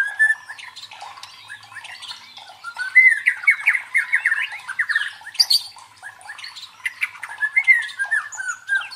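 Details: Song of a white-rumped shama for training the fighting spirit of competition birds: quieter twitter at first, then dense loud whistled phrases and rapid chattering notes, with steady background twittering.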